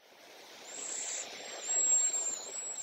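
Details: A few Cedar Waxwings at Léon Provancher marsh sing softly, a slight whistle: thin, very high, level lisping notes strung together, growing louder, against faint background hiss.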